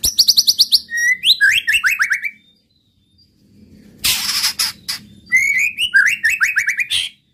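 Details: White-rumped shama singing to provoke other males: a fast rattle of high chips leads into falling slurred whistles, a quiet gap, a harsh broadband burst, then more descending whistled notes.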